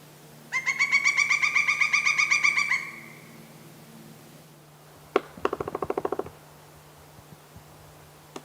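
A woodpecker gives a fast, ringing series of about fifteen bright notes, then drums briefly: roughly ten quick, hollow knocks in under a second.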